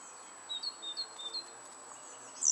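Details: Coal tit at a garden nest box while rearing chicks: three thin, very high notes, each slurring downward, spaced about a third of a second apart, with a brief sharper high note at the end over a quiet background.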